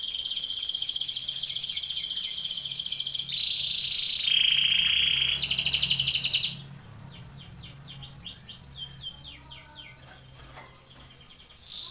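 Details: Belgian canary contest training song: high rolling trills and a sustained whistled note, then quieter scattered chirps and short phrases with background hiss.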